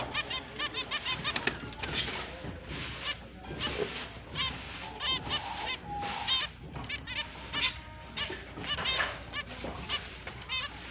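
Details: Finches starting their breeding season on October 29, 2023 chirp happily: many overlapping nasal honk-like notes come steadily from several birds, with occasional thin whistles and a steady background rustle.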